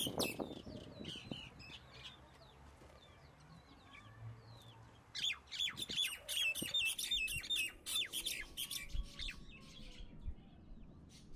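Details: Common myna (Acridotheres tristis) with scattered soft chips at first, then a burst of loud, harsh, rapidly repeated squawky notes midway. The calling tapers into fainter chatter and faint background sounds.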